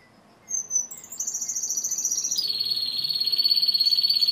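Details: Timbrado canary song: a few high whistled notes, then a fast rhythmic rolled trill that settles into a steady, evenly pulsed lower roll, growing louder towards the end.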